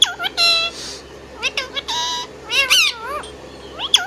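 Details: Pet Indian ringneck parakeet whistling and chirping indoors: loud, sharply rising and falling whistled notes and short squawky chirps in quick bursts with brief pauses between them.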